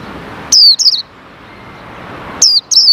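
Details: Caged male white-eye, tested after its cover is opened following separation from the female, with wild white-eyes coming around; two bursts of high, clear, quickly descending chirped notes about two seconds apart over a faint background hiss.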